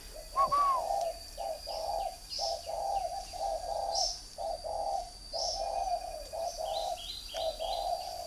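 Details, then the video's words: Caged three-year-old decoy spotted dove from northern Vietnam giving a long series of soft, low, hoarse coos in short grouped phrases. Steady high insect whine, light chirps and a brief rising whistle near the start. "chim cu gáy hay miền bắc Mồi 3 năm"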